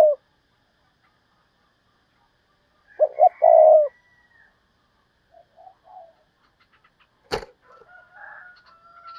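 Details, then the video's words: Decoy spotted dove calling in the thúc bổi style: one low cooing phrase of two short throaty notes and a longer rolling coo, then quiet, with faint chirps from other birds and a sharp click afterwards. "tiếng cu mồi thúc bổi, cu gáy mồi cây"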